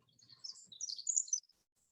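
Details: A Pacific Wren in California sings a fragment of its highly varied song: a rapid, jumbled tumble of very high, tinkling notes that leap up and down in pitch, over a faint low room hum.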